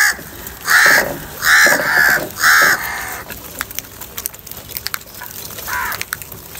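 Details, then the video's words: Crow calling in a live outdoor recording, said to show anger, fighting and calling for food: four harsh, loud caws in quick succession over the first three seconds, then a fainter fifth caw near the end. "Crow bird live Cowing sounds - Crow bird unity anger and sound for food | Crow fighting"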